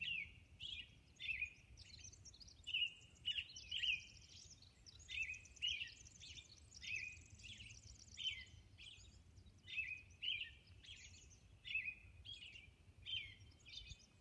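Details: At dawn on Orcas Island a robin sings a long run of bright warbling phrases, roughly one every second, some doubled, over soft steady background noise.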